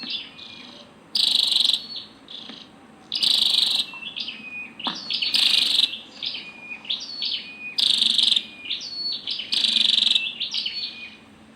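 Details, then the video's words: Female Scarlet-backed flowerpecker giving rapid high metallic ticks, about four per second, broken by loud short buzzy bursts every couple of seconds; background otherwise quiet. "Tiếng chim sâu đầu đỏ mái"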